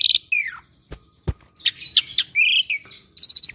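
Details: Asian pied starling, kept as a pet and good at copying other birds, gives a falling whistle, sharp clicks, and a jumble of buzzy chatter and whistled notes.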